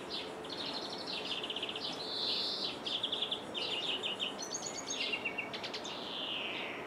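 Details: European greenfinch singing in Jordan, heard through a window: quick metallic trills alternate with a drawn-out nasal buzz and later a falling wheezy note, under constant faint hiss.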